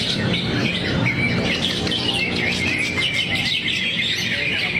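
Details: Greater green leafbird delivering its song material in a relaxed, fluffed-up 'teler' style: a dense, continuous run of bright chirps, trills and twittering notes with quick rising and falling slurs, over a steady low background hum.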